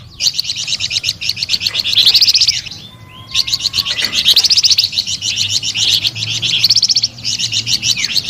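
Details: Flamboyan bird singing in a sweet, vigorous way: long runs of rapid, high, bright chirps, about four per second, broken by two short pauses, over a faint low hum.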